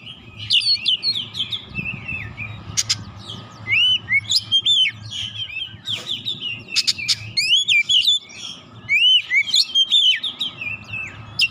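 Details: Oriental magpie-robin (kacer) lure song used to provoke other birds into singing, the bird agitated and pouring out its learned repertoire: loud varied phrases of sweet whistles, rising slurs and harsh rasping notes, nearly continuous, over a low background hum.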